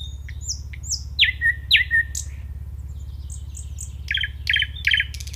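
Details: Nightingale song phrases: soft high whistles, then loud sweeping notes that drop and level off, repeated several times, followed by high whistles and rapid rattling notes, with a steady low hum behind.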